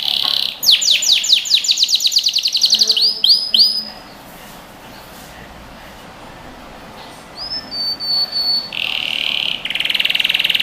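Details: Singing canary in a training recording for young birds: a fast train of falling notes and a few swelling whistles, then about three seconds of near silence, then sustained high trills and a buzzy rolled phrase.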